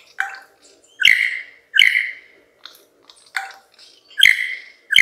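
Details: Male lyrebird singing to persuade females to come close and admire his plumes: loud, rich ringing notes, roughly one per second, with soft chatter between them.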